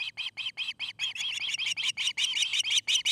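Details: Loud, urgent osprey chirping from a Montana nest near Charlo, filmed by nest cam on 29 August 2018: sharp whistled notes repeated almost three per second with no pause throughout.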